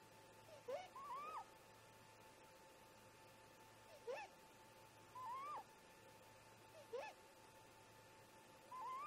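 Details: At a snag nest in the early hours, great grey owl parents converse with alternating short rising whoops and drawn-out wavering wails, about five calls across nine seconds, backed by a steady low hum.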